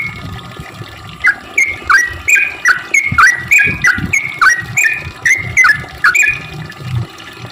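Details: Sooty-headed bulbul song used as a lure to draw other bulbuls: rapid repeated bubbly notes that dip and then rise, about three per second, over a low rumbling background.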